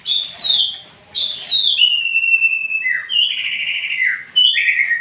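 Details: White-rumped shama song: loud, clear whistles, two strongly descending slurred notes followed by a long steady whistle and lower warbled phrases with a stepwise change in pitch.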